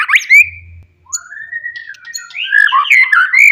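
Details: Forest white-rumped shama giving loud provocative song aimed at rivals: a sharp opening note, then long sliding whistles rising into warbled, fluting phrases; brief low hum early on.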